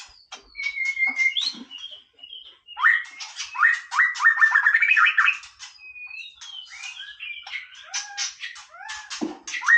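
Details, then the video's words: White-rumped shama with a long varied song: sustained whistles and falling slurs, a loud stretch of rapid rising notes in the middle, then quieter clicks and chatter. "นกกางเขนดงร้องเล่น Shama Bird"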